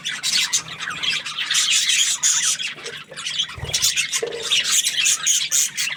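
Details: Happy budgerigar giving steady, high scratchy chirps and squawks in a busy stream, with a short lower note and a faint thump near the middle.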